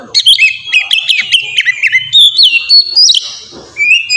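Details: Kacer, or Oriental magpie-robin, giving melodious 'ngeplong' song meant to prompt other pet birds to sing; a continuous run of loud, sweet whistled notes, rising and falling slurs and sharp chirps, with a short gap before a final whistle.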